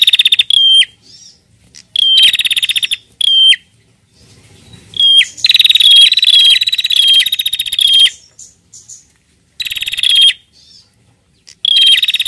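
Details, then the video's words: Female bar-winged prinia calling the male, several short buzzy trills with whistled ends, then a longer continuous rattling buzz lasting over two seconds, followed by more clipped bursts. "PRENJAK BETINA GACOR NARUNG JANTAN"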